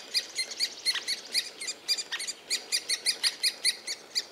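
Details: Near a nest hollow in Białowieża forest, a three-toed woodpecker site gives a steady run of thin, high, squeaky notes, roughly four to five each second, with a few lower notes mixed in.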